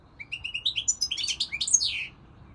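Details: Short goldfinch phrase: a run of evenly spaced thin chirps rising in pitch, building into a quick cluster of sweet twittering notes and ending on a falling slur, over a quiet low hum.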